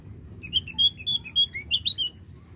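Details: Javan grey-throated white-eye singing actively, its song used as a lure to prompt other birds to sing: a quick run of about eight bright, whistled chirps, some rising and some falling, over a low steady hum.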